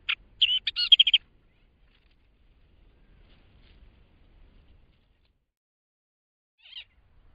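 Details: A millerbird (Acrocephalus familiaris) on Laysan Island, singing while foraging, gives a quick burst of scratchy, high chattering song notes lasting about a second, then falls quiet before one more brief note near the end.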